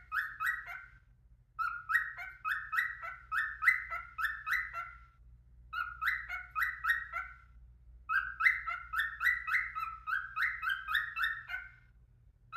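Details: A male pet cockatiel warming up his voice sings bursts of quick, rising whistled chirps, three or four a second, with short pauses.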